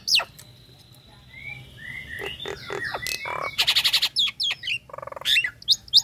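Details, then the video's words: Nias hill myna female, ready to breed, calling to a male with gliding whistles, then squawks and rapid buzzy bursts, then a low rattling burst and sharp high notes. "Jalak Nias Ngekek"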